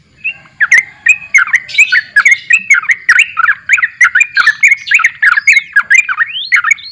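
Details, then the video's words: Energetic gacor borak barik song of a sooty-headed bulbul: a steady stream of quick, chortling whistled notes, each dipping then lifting, repeated several times a second without pause. "TRUCUKAN GACOR BORAK BARIK"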